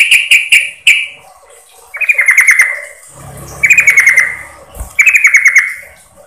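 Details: Yellow-vented bulbul (Pycnonotus goiavier), call: female calling to the male.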